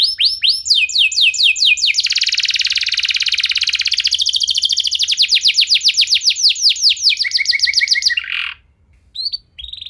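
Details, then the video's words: Powerful canary song played so other canaries start singing. Falling whistled notes lead into a long, very fast buzzy trill that slows into distinct sweeps, ends in a low rasp, then faint short chirps. "Kenari Anda Bisa Gacor Seketika Dengar Pancingan Kenari Nembak Joss Ini"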